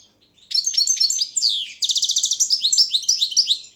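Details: Balkan goldfinch singing for a world championship of goldfinch song, with rapid liquid twitters, a buzzy rattle burst, then quick bouncing high notes in a steady run.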